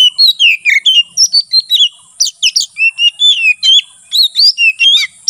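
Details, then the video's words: Oriental magpie-robin, called kacer, in sustained ngeplong song for training and luring wild kacer in forest: a nonstop stream of rapid, varied whistles, chirps and slurs, around two notes per second, with brief pauses. "BURUNG KACER NGEPLONG SUARA COCOK UNTUK MASTERAN DAN MIKAT KACER DI HUTAN"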